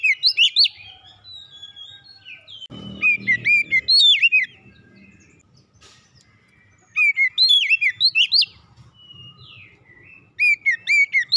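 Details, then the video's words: Home-kept Oriental magpie-robin song used to get other kacer singing: three bursts of rapid, sharply upswept and down-curving whistles, each lasting about a second and a half, separated by quiet gaps, with a short low rustle. "kicauan indah memancing suara Kacer rumahan ikut gacor"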